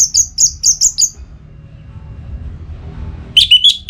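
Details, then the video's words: Caged orange-headed thrush in breeding condition, calling a rival, north Bali: a quick run of five high chirped notes, a pause, then another burst of bright sliding notes, with a low hum behind. "ANIS MERAH Gacor Pancingan Birahi & EMosi Burung || Kicau memanggil lawan"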